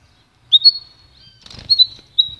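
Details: Pintagol, a goldfinch and canary hybrid, giving short high whistled notes: a rising slurred whistle, a pause, then a doubled note and a final clipped whistle, with a brief rustling burst in between.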